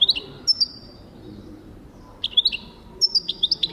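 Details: European goldfinch singing in 2023: short clusters of bright, bubbling chirps separated by brief pauses, the last phrase a longer run of quick twittering notes.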